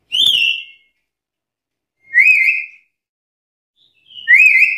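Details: Black-capped lory, lively and challenging rivals: three loud clear whistles roughly two seconds apart, the first falling, the later ones rising then leveling, each with bright overtones; nothing else heard.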